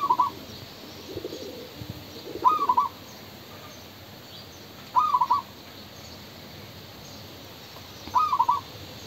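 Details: Male spotted dove cooing: four brief phrases of three or four soft, rounded notes, spaced two to three seconds apart. A few dull low murmurs sound early on.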